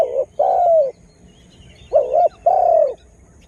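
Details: Spotted dove used for luring wild birds, newly starting to call strongly; two paired coos, a short wavering hum then a longer mellow note dropping at its end.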